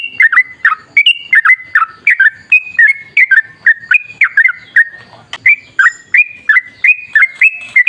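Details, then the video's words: Lively yellow-vented bulbul song meant to lure other bulbuls into singing: rapid, whistled, slurred phrases, often falling then rising, delivered in a near-continuous series, broken once by a sharp click. "Suara trucukan gacor ropel ngalas buat pancingan trucukan agar bunyi"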